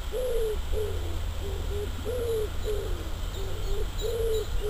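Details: Wild common wood pigeon in spring, March, cooing: soft, hollow low coos in rhythmic phrases of several notes, against a steady low hum and broad background hiss.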